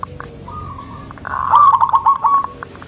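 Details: Local zebra dove, thick-voiced and melodious, singing to provoke others of its kind: a soft drawn-out note leads into a short, rolling trill of quick coo notes.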